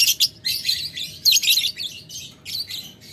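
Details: Lovebird ngetik ngekek aimed at a rival: quick bursts of shrill, buzzy chatter in close succession, each a fraction of a second, with tiny gaps between.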